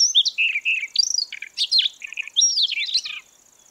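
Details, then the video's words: Lure recording of a Siberian rubythroat used for bird trapping, a rich, jumbled song of sweet whistles, slurred notes and harsh chatters delivered nonstop for three seconds over a thin continuous high buzzing. "Tiếng Oanh cổ đỏ để bẫy. นกคอทับทิม"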